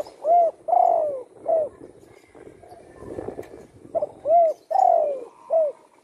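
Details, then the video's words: Spotted dove kept at home after being shot in the wing, now singing freely. It gives low, hollow cooing phrases, each note swelling then dipping. The phrases repeat in two groups with a short noisy gap between them. "burung tekukur,yg dulu di tembak orang kena sayapnya patah,kini sudah gacor di Rumah"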